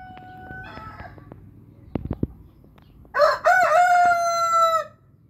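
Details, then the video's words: Orpington or Marans rooster crowing: after scattered soft clucks and a few sharp knocks, one loud drawn-out crow rises, holds level for about two seconds, then stops abruptly. "Orpington and Marans roosters crowing"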